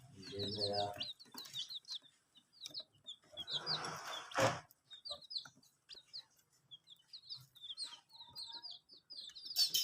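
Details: Chicks of domestic chicken at drinking water, irregular bursts of high falling peeps from several birds, broken by a few short noisy thumps and rustles.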